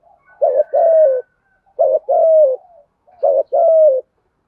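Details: Spotted dove repeating its 'thúc gù' coo in an earthy 'thổ' voice with long 'rút bổi' ending, three phrases roughly every 1.5 seconds, each of a doubled short hoot followed by a falling sustained coo.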